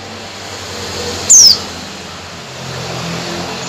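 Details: Female Oriental white-eye calling the male: one sharp, high, downward-sliding whistle lasting about a quarter second, heard over a steady low rumble of traffic.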